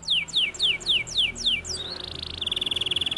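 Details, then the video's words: Canary song: seven quick descending whistled slurs in a row, then a rapid, buzzy, pulsing trill. "The canary sings beautifully"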